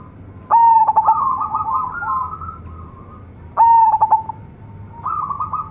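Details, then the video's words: Zebra dove of local stock in full song with a rich voice. Two loud stuttered whistled coos about three seconds apart, each followed by a lower, gently wavering trill. The background is quiet. "PERKUTUT LOKAL GACOR SUARA BESAR-MEWAH"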